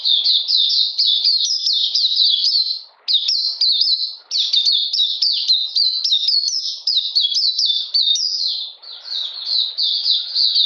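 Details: On 13 June 2020, in cold rainy weather, an Oriental magpie-robin sings a long, dense sequence of high, sliding chirps, briefly pausing twice before resuming at the same fast pace.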